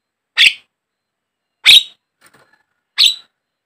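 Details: Javan myna lure call for caged mynas: three single harsh, scratchy squawks spaced more than a second apart, with faint soft chatter between them.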